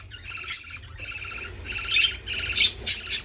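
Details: Baby parrot being fed, giving harsh, buzzy begging squawks in a series of bursts roughly every half second, over a low background hum.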